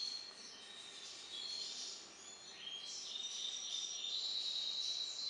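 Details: Goldfinch hybrid from a songbird breeding aviary giving song variant IV: thin, high twitters and clear whistled notes, quieter at first and stronger later, over a steady background hiss.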